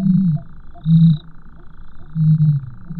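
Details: Common ostrich giving deep, hollow, low-pitched grunting notes, three short booming bursts about a second apart, with a faint thin high tone and a steady low hum in the background.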